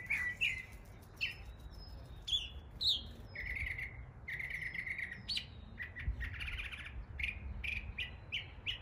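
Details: Mockingbird near homes in East Tennessee copying local bird calls: a varied string of whistles, thin high notes and buzzy phrases, switching sound every second or so, over faint low background rumble.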